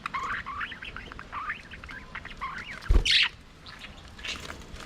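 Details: Budgies singing and playing in their aviary, giving a run of rapid, wavering warbled notes, then a loud thump followed by a harsh, bright squawk and scattered softer chatter.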